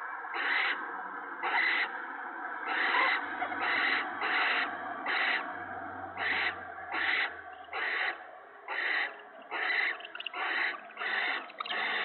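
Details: Owls at the nest while food is carried in to the mate and owlets, March 2017 evening; dense series of loud, rasping hissing shrieks, roughly one every half second to second, with a low hum in places.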